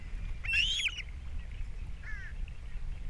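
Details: Osprey at a Captiva nest camera, April 3, 2022, during breakfast fish delivery and chick feeding; a single loud, slurred rising whistle, then a softer downward whistled note, set against steady low rumble.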